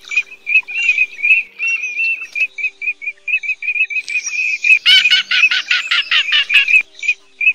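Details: Cotton pygmy goose calls, male and female, played as a lure for night net trapping of migrants, August 2024: rapid repeated whistled notes about two per second, broken by a loud burst of nasal cackles near the end.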